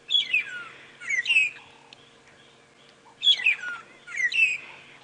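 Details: Two Magpie Shrikes (long-tailed shrikes) duet at 7 AM on 25 September 2016 during a safari drive near Djuma Game Reserve. One bird starts and the other answers in clear, liquid, downward-sliding whistles, twice in five seconds.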